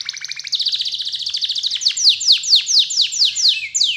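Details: Canary song played as a lure (pancingan) to set other canaries singing: a fast buzzy rattle that gives way to a series of loud downward-swept notes, about four a second.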